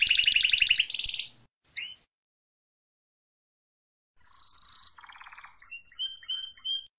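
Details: Wild Spanish Timbrado canary singing: a fast rolled trill, then a higher ringing trill and one short rising note. A pause follows, then a buzzy burst and a run of repeated rising whistled notes.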